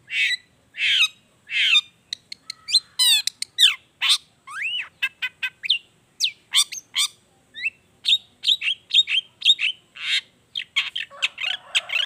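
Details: Long-tailed shrike in lively song with natural mimicked phrases, played to get silent shrikes to join in; a rapid nonstop medley of sharp chirps, rising and falling whistles and trilled notes, varied and dense throughout.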